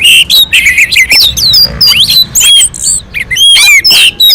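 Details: Orange-headed thrush singing on a mountain slope as a lure for other singing birds; steady stream of bright whistled notes and fast chattering trills with brief breaks between phrases.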